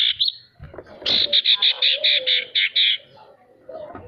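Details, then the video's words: A male sirtu, used as a lure to get quiet birds singing, gives a rapid string of about ten short buzzy notes, evenly spaced, after a brief opening chirp, over a low background tone. "Suara sirtu untuk memancing burung pemalas bunyi agar bisa rajin mau bunyi"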